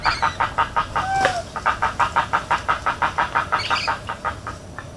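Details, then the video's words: Everglades National Park spoonbill producing rhythmic grating pulses in a rapid train, with a couple of thin whistled notes and a sharp higher call from another bird. "Spoonbill Sounds in Everglades National Park"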